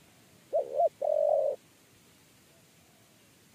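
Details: Three-note "kuk 3" coo of a spotted dove (tekukur) that was chased and went into a trap cage: two brief low hooting notes and a longer even note, another coo starting at the end.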